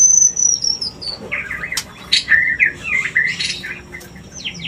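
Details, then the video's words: White-rumped shama lure used to raise mating urge: a high descending whistle, then sharp clicks and a run of rapid warbled and chattering notes of mixed pitch. "Suara pancingan murai agar Birahi Kawin"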